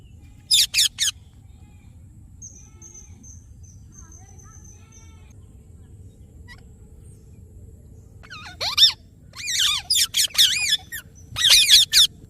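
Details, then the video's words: An Indian ringneck (rose-ringed parakeet) gives harsh, high screeches in short bursts, with a faint thin whistle between them and a low background hum. "Ringneck Parrot Natural Sounds"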